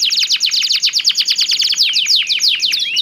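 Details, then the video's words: Two canaries in lively song, trading phrases with different tones: a rapid, even train of sharp downswept chirps that slows slightly into longer swept notes toward the end. "SUARA KICAUAN KENARI GACOR SALING BERSAUTAN"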